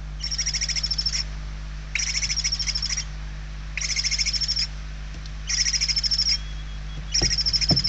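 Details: Barn owl chicks begging from inside the nest in Spain on 28 November 2023: steady, regular hissing screeches with a pulsing texture, five bouts of about one second, one roughly every two seconds, over low hum.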